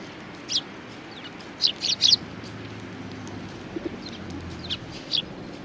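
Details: A flock of Eurasian tree sparrows gathering at food, Tenmangu shrine, Japan, 19 April 2019: scattered sharp chirps, some doubled or tripled in quick runs, spread across several seconds over a low outdoor hum.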